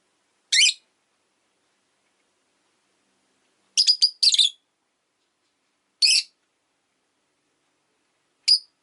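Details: Rosy-faced lovebird during a calm afternoon, short piercing chirps spaced by silent gaps: a single note, a quick double, then two more singles, all shrill and abrupt.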